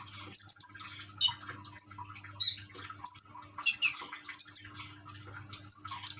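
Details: Caged common iora (konin) in Gresik, East Java, Indonesia, recorded on an Android phone with trickling water played to encourage singing; scattered high chirps, sharp whistles and short squawky notes at irregular intervals, with a faint low hum.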